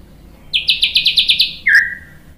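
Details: White-rumped shama song used as a lure to provoke other birds into singing: after a short quiet start, seven fast, sharply repeated downslurred notes, then one lower drawn-out slurred whistle that fades, with no other sounds.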